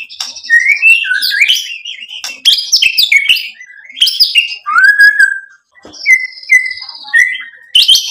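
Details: White-rumped shama pouring out a lively song of whistled slurs, clicks and buzzy bits, ending with a few clear, evenly spaced whistled notes and a final bright burst.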